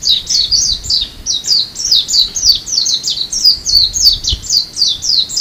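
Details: Japanese white-eye on Amami in February, singing a fast, continuous warble of high twittering notes that rise and fall, each phrase sliding downward, about three or four notes a second without pause.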